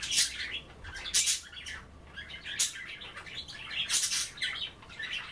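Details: Budgerigars at bath time, nibbling wet kale instead of bathing, give loud rasping bursts roughly once a second, scratchy noisy calls spread high and wide, with softer chirps between them.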